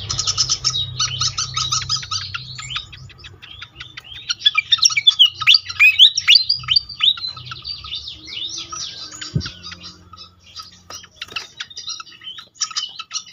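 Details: Pied fantail, lure recording to make other fantails sing fast: long burst of hurried, high squeaky chatter and twisting whistles that thins out into scattered single chips after the midpoint; one dull thump.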